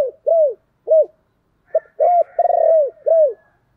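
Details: Spotted dove kept as a decoy, calling to lure wild doves: a series of soft, hollow coos, short arched notes and one longer purring, slightly rolled coo, with a faint background hum.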